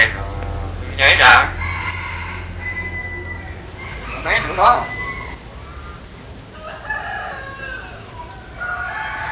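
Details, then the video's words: Common hill myna in Vietnam's Mekong Delta region mimicking human speech, said to say phrases like "méc tụi nó" and "biết rồi"; two loud, harsh, voice-like bursts with ringing harmonic tones, separated by a few seconds, over a steady low hum. "Nhồng Biết Nói Tiếng Người"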